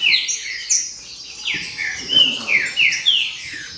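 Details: A lively tangle of green-winged saltator song: strong whistled notes sliding downward, repeated in quick succession by more than one bird, each phrase crowding into the next.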